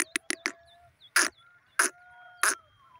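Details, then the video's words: Francolin (teetar) kept as a pet, a few quick clipped notes followed by three loud harsh calls roughly two-thirds of a second apart, faint thin whistles from other birds behind. "my teetar ki beautiful awaz"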